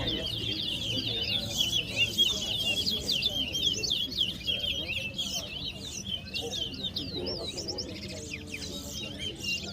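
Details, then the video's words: Chestnut-bellied seed finch (towa towa) singing during a bird-singing competition at West Side, Guyana, in 2022: dense, rapid high warbling with twittering notes and quick slurred whistles, delivered continuously, over background chatter and low rumble. "TOWA TOWA BIRD COMPETITION"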